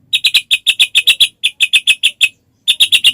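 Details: White-rumped shama used to trigger other shamas into song: a rapid, even string of sharp, high chattering notes, about six per second, broken by one short pause.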